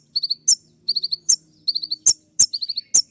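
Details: A kolibri ninja, the olive-backed sunbird, singing loud shrill shooting phrases. Short trills of high chirps are punctuated by sharp, cracking clicks in a steady call-and-click pattern.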